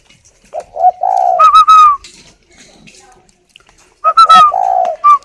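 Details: Captive spotted dove cooing while sitting on its eggs in a bird garden at Ba Vì, Hanoi, northern Vietnam: two phrases of low mellow hoots rising into a drawn-out, higher ringing note, separated by a quiet pause.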